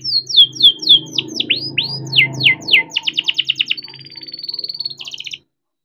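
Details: Canary song from a young captive-bred bird, meant to get stuck canaries singing: sharp down-slurred notes, a rapid ticking trill, then a long level whistle, over a low steady hum.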